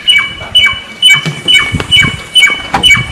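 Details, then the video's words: Samyong song for training songbirds: short high whistled notes sliding downward, given in a rapid steady series of six or seven, with soft low thumps and rustling underneath. "Suara burung Samyong"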